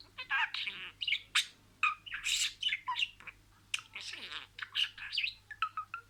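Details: Talking pet budgerigar running through words: harsh squawky syllables and raspy warbles in quick bursts, mixed with sharp high squeaks, steady faint hum behind.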